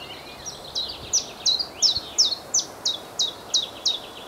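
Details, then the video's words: A common chiffchaff sings in a tree on a windy day, a steady run of about a dozen sharp, high notes alternating slightly in pitch like 'chiff-chaff', three each second, over wind hiss. "Chiffchaff singing"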